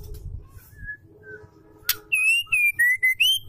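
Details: Female Oriental magpie-robin calling a male, used to stir males to sing; quiet soft notes and a sharp click, then a burst of loud, pure whistles that step down and rise again.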